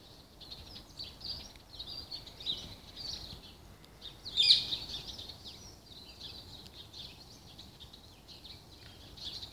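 Several parakeets chatter continuously in high, scratchy chirps and warbles. One sharp, louder squawk cuts through near the middle over a soft background hiss.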